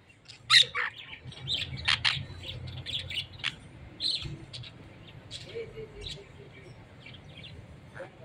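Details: Parakeets kept together with larger parrots: a scatter of short sharp chirps and squeaky notes, some loud, others faint, over a low background rumble.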